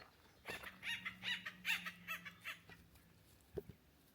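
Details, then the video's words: An acorn woodpecker gives a run of about eight harsh, nasal, laughing notes, roughly two or three a second, over a faint low hum, in spring oak woodland at Oak Glen Preserve. "That sound is an acorn woodpecker."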